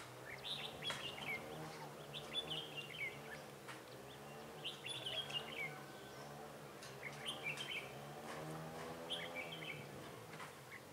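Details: Red-whiskered bulbul used as a decoy in a trap to lure rival birds, recorded 28 February 2018: short bright warbled phrases, rising and falling, repeated every second or two over a steady low droning hum.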